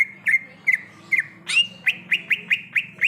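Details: Wild greater green leafbird song: sharp whistled notes, each quickly slurred downward, first spaced about half a second apart, then a rapid even series of rising whistles near the end.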